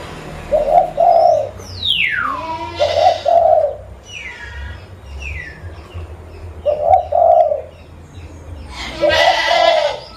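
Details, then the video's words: Local zebra dove used as a lure bird, recorded at Busu Reului, Mutiara, Pidie, Aceh, Indonesia: four bursts of soft, low, rolling coos spaced a few seconds apart, with other birds giving sharp falling whistles in between. "Burung Perkutut Lokal Pemikat Suara"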